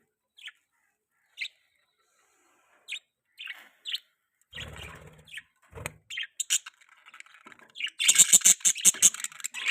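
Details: Caged pet budgies making mating chirps: single sharp high tweets spaced about a second apart, building into dense, rapid scratchy chatter and clicking bursts toward the end.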